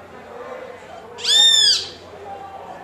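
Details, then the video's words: Great kiskadee, locally called bem-te-vi, calling to another of its own species: a single loud, slightly arched harmonic note lasting about half a second, standing out over a faint steady low hum. "Bem-te-vi (Pitangus sulphuratus): chamando companheiro de sua espécie"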